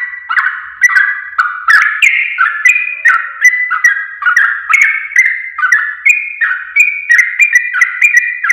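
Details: Trucuk, the sooty-headed bulbul, singing as a training recording for caged songbirds: a steady chain of rich, liquid whistled phrases, each a quick rising-falling slur, about two every second without pause.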